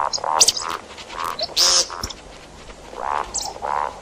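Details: Calls of see-see partridge used in hunting: short gruff nasal notes at an irregular pace, roughly two-thirds of a second apart, broken by one strident high screech midway.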